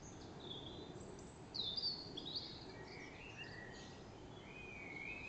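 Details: Morning chorus in Tooting Bec, London, on day two of the Queen's Diamond Jubilee: several birds sing at once, high thin whistles and short sliding phrases overlapping every second or so, over a steady low hum of distant noise.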